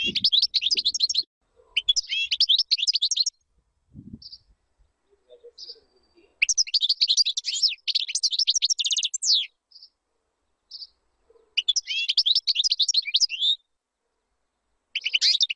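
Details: European goldfinch song meant for teaching chicks, delivered in long bursts of rapid tinkling, twittering notes, each phrase running two to three seconds, separated by short silences and occasional single chips.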